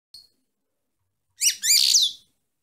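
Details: Female European goldfinch song: a faint high note, then a burst of stacked downslurred chirps running into a dense buzzy twittering phrase about one second long, bright and high.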